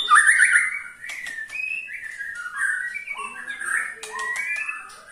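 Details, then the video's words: White-rumped shama ketrekan, sung to provoke other shamas: mellow whistled notes and slurs with scattered dry clicks, fairly steady in pace. "KETREKAN SAKTI!! || MURAI BATU MANAPUN PASTI TIDA MAU DIAM IKUT GACOR"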